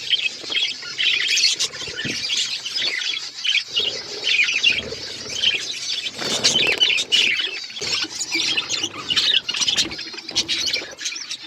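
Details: Group of pet budgies chirping while they eat seeds; continuous busy high warbles and chirps overlap, with quick clicks and faint wing flutters throughout.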